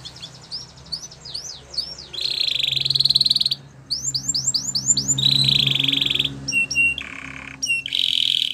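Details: Belgian canary training song with high slurred whistles alternating with dense buzzy trills and short pauses, over steady low hum and background noise.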